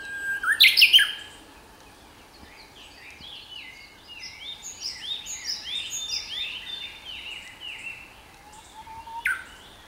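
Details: Japanese bush warbler in spring song, Sayama Park, Tokyo, Japan, 29 April 2017. A held whistle breaks into a loud, sweeping, rising phrase at the start. A fresh low whistle begins near the end, while other birds keep up rapid, high chirping in between.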